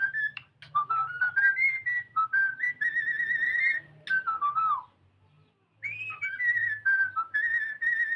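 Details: Pet cockatiel singing while playing: sustained whistled warbling with sliding notes and short trills, some falling phrases, a brief silence, then more steady whistling.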